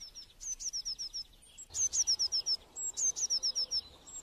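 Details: Blue tit phrases given three times: each opens with one or two high, thin notes, then a quick falling run of five or six slurred notes, with faint background noise.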